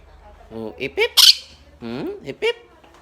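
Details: Indoors, a blue Quaker parrot talks to its friends in quick, speech-like syllables with gliding pitch, punctuated by a harsh, high, hissing squawk and a short sharp chirp.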